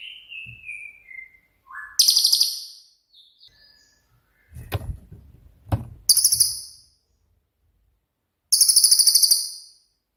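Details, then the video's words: Cililin singing 'tembakan' style, played as a master for songbirds like shrikes and shamas: three loud bursts of very high, fast buzzy trills, a falling whistle at the start, and a few dull knocks between. "BURUNG CILILIN COCOK UNTUK MASTERAN"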